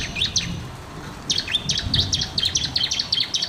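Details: Bar-winged prinia singing energetically, recorded as a master to coax reluctant birds into song: a couple of sharp high notes, a pause, then a quick run of bright chirps repeated many times a second, with low background hum.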